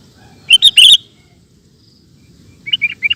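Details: Kutilang, the sooty-headed bulbul, singing ropel style: a loud cluster of three bright chirps, a pause, then a softer set of four quick bubbling notes.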